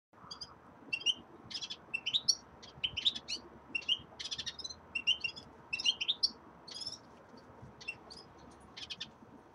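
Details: Caged common redpolls, kept together with a linnet, settling into a new cage; a busy run of short, high, twittering chirps, some clipped and some slightly trilled, coming in quick uneven bursts throughout over a quiet indoor background.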